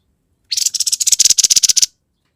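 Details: Grey-headed babbler in vigorous, rough-toned song: a quick series of about fifteen harsh, scratchy notes delivered at a steady rapid pace over roughly a second and a half.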